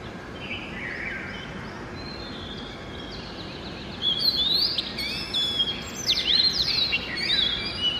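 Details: An Oriental magpie-robin sings in the early morning, a varied run of clear, sweet whistles, rising and falling slurs and quick chirpy notes, over a steady background hiss.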